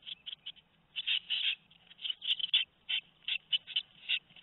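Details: Begging chorus of two-week-old tit nestlings at Théding, France, 13 May 2019, with loud hoarse chirp clusters separated by brief quiet gaps.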